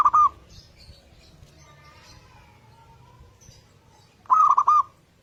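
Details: Local zebra dove song, a morning lure meant to make other doves join in: a clipped coo phrase at the start, a quiet pause with faint distant chirps, then a full rapid bubbling phrase of several quick notes.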